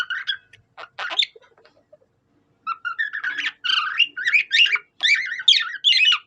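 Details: Cockatiel-style singing from a budgerigar: scattered sharp chirps at first, then after a short silence a continuous tumbling warble of wavering whistled notes.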